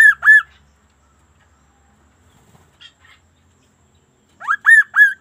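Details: Kaso-kaso, the Sunda laughingthrush, in lively unusual song: two loud arched whistles, soft scattered notes, then a fresh run of three swooping, upward-sliding whistled notes.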